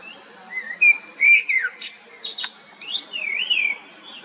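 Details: Song of a common blackbird: rich whistled notes sliding up and down, followed by higher scratchy twittering flourishes in a continuous phrase, over faint background hum.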